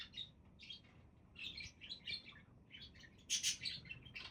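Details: Rapid budgerigar warbling, a near-continuous stream of raspy chirps rising to a louder burst of squawky notes near the end.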